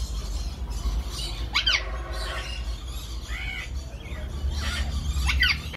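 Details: A yellow-collared (golden-collared) macaw gives several harsh, rasping squawks that rise and fall sharply, spaced about a second apart, over a steady low rumble.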